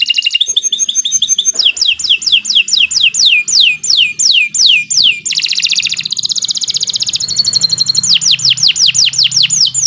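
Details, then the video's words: Lure song of a canary for training other birds, loud and continuous: rapid rattled trills, then a long run of falling whistled sweeps about three per second, a buzzy roll, then more sweeping notes. "Kicau Burung Kenari 122 II LUAR BIASA GACOR PANJANG Cocok untuk Masteran"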